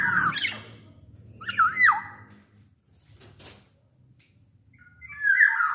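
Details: Black-naped oriole in full song, large-bodied, played as a lure for other orioles: three separate harsh, wavering nasal squawks with a rising-then-falling twist, divided by quiet pauses, over faint low hum.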